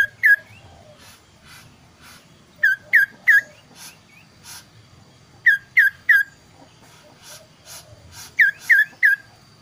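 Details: Kaso-kaso bird showing two voice variations, very clear, used as a master song for training other birds: short, clear whistles with an upturned flick, in bursts of three about every three seconds, over faint clicking and a low hum.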